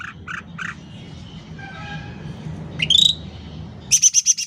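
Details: Sooty-headed bulbul singing vigorously, recorded loud for use as a tutor for home songbirds or as a trapping lure: spaced short chirps, a sharp rising whistled note, then a fast, even run of high pulsed notes.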